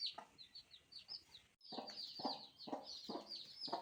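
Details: Newborn chicks cheeping: a brief pause after a few thin piping notes, then a louder burst of continuous high peeps from several chicks, with dull knocking sounds at regular intervals.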